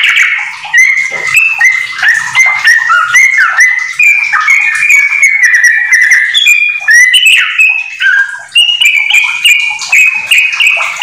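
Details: A home-kept Yellow-vented Bulbul sings a song filled with magpie-robin phrases, a rapid, bubbly run of liquid chirps and slurred notes, steady and unbroken throughout, mid to high pitched.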